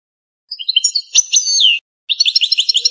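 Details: Algerian European goldfinch, pure native stock, in campero style song: high twittering notes, then a long falling whistled slur, a pause, and a fast run of rhythmic chirps.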